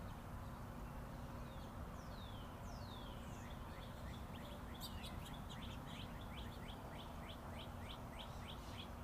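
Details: Birds tweeting in the open with Interstate 40 traffic behind: a few drawn-out falling whistles, then a sharp burst and a long steady string of quick upswept chirps near three per second.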